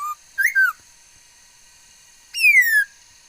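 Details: Laughingthrush with a many-voiced song, 13 August 2021: a short note and a twisting two-part whistle, then after a pause one long, bright whistle sliding steadily downward.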